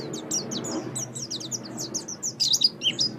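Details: Oriental white-eye chattering song for training songbirds: quick, high chirps that grow denser toward the end. A faint hiss and murmur sit underneath.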